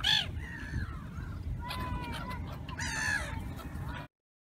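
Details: Many gulls being fed by a woman: several harsh, wavering cries overlapping, some drawn out and falling, with crowd and wind noise beneath.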